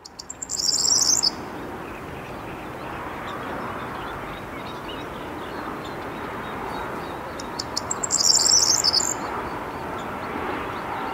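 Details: A corn bunting sings at the Rheindürkheimer Spieß nature reserve near Worms, Germany, on 23 May 2022 at 20:00: two short, dry, high jangling phrases, like shaken keys, about seven seconds apart, over steady wind-like hiss.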